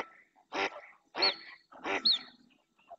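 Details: A female mallard in the Doñana National Park marsh, Spain, calls insistently while other ducks approach: three loud, hoarse quacks about two-thirds of a second apart, with a thin high whistled note after the later ones.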